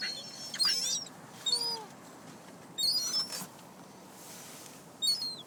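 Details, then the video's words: Gulls gathered outside a parked car in Closter, New Jersey, feeding on pizza crust; brief high, shrill squeals arrive in three or four spaced bursts, with faint lower drawn-out notes between them. "NJ seagulls love PIZZA!"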